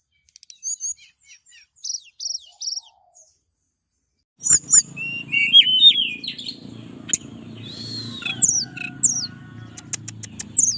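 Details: Caged mountain tailorbird from Purworejo, Central Java, giving a relaxed fluting song to call a female: soft high chirps at first, then sharp whistled slurs and buzzy notes over a steady low hum.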